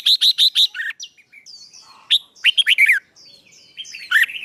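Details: Fighting song for training, to fire up young birds. It opens with a quick run of four identical chirps, then shifts to varied warbles and thin high whistles.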